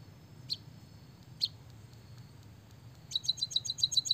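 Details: A white-headed munia gives two isolated sharp high chips, falls silent, then breaks into a fast string of bright, clipped canary-like notes over the final second.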